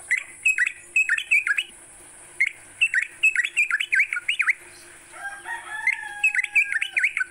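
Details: Morning song of a sooty-headed bulbul, played to prompt kept bulbuls to sing: rapid runs of liquid, slurred whistles swooping up and down, in phrases broken by brief pauses, with a constant thin high hiss behind.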